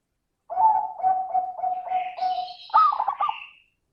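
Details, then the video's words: Zebra dove 'crystal' song as a lure for other doves: a steady run of pulsing coos, then a rising bubbling burst. High, thin whistles from another bird sound behind it. "Pancingan suara burung perkutut - suara kristal"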